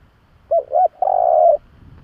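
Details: A spotted dove's coo used to lure doves: two short arched coos followed by a long, level, buzzy-edged coo of about half a second; faint low noise after.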